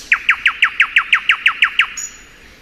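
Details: Thrush nightingale song in spring: ten loud, clipped, downslurred notes repeated in a fast even rhythm, roughly six per second, then a brief thin high whistle.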